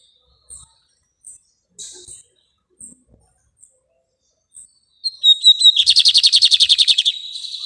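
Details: Lined seedeater (bigodinho) singing: scattered short high chips spaced by pauses, then an abrupt loud buzzy rattling trill of quick repeated notes, about two and a half per second, lasting some two seconds.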